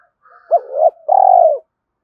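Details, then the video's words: Spotted dove cooing, a call used to lure and stimulate other doves; a short low opening note then a long, steady, slightly pulsing coo that falls at the end, clean and close. "Tiếng cu gáy dùng kích bổi mỗi ngày"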